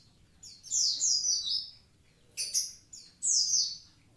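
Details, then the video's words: Actively singing Javan pied starling gives three bright downward-sweeping whistles, the first long and slurred, the others short and sharp. "konin ijoan gacor aktif"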